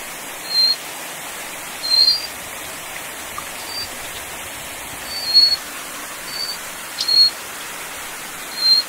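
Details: Little Forktail of Taiwan's endemic subspecies along a rocky mountain stream, with about seven short piercing high whistles scattered irregularly over nine seconds, masked partly by loud rushing stream noise.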